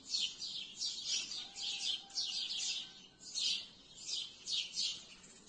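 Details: Many sparrows chirping in trees at dusk, high twittering bursts that swell and fade roughly every second, a busy flock chorus with a faint thin tone underneath.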